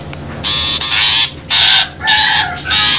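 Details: Trapping lure of a long-tailed shrike: four loud, coarse, rasping squawks, each about half a second long, with short gaps between them over a faint high hum.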